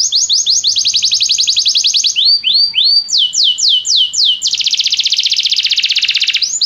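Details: Belgian canary song used as training to stimulate a canary to sing diligently: loud rapid trills at high pitch, switching between fast rattling tours, slower descending slurred notes and a dense buzzy roll, all sharply repeated.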